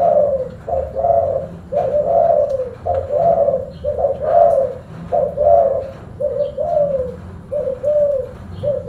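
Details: Spotted dove, known locally as tekukur, cooing steadily: low, soft hooting phrases of two or three notes repeated in close succession over several seconds, with faint low background hum.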